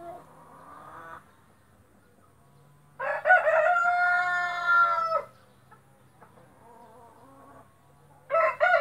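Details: White splash Brahma rooster crowing: a long harmonic crow rising then holding steady for about two seconds, preceded by the faint end of an earlier crow and followed by the start of another, with a low steady hum beneath.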